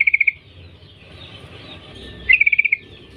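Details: Sooty-headed bulbul female calling males: a short quick rattle of four clear notes, a long pause with faint background, then a sharper rising-then-steady series of about seven rapid notes.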